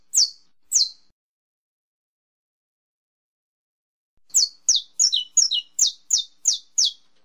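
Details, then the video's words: Saffron finch giving its estalo song: two sharp falling chips, a pause of about three seconds, then a quick run of high, snapping, downward notes including some doubled ones, in silence otherwise. "canário da terra canto estalo"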